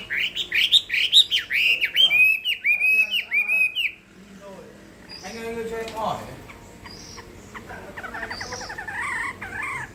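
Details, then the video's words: Chinese hwamei in contest song, loud repeated swooping whistles and a harsh rattle for four seconds, followed by quieter mixed sounds and a distant warbling phrase. "Họa mi hót đấu hay"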